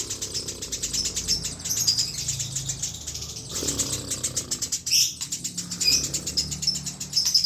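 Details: Eurasian tree sparrow giving a continuous rolling song without pauses: dense, high, rapid chirps and twitters repeated in quick bursts, with brief louder sharp notes near the end and faint wing-flutter sounds.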